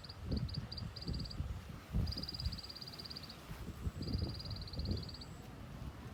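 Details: High, fast ticking series from a white-eye ('tành tạch'), starting with stuttered short groups, then two longer even trills, accompanied by loud low rumbling noise.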